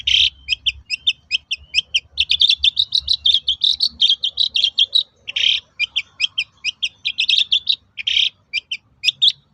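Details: Long-tailed shrike song used as a lure to make other shrikes answer: rapid series of sharp high chirps and trills, delivered in dense bursts with brief pauses, almost continuous throughout.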